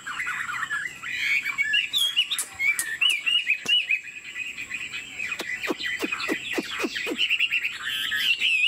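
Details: Chinese Hwamei kept as a cage bird sings varied warbled whistles, twisting up and down continuously, punctuated by sharp clicking taps in the second half.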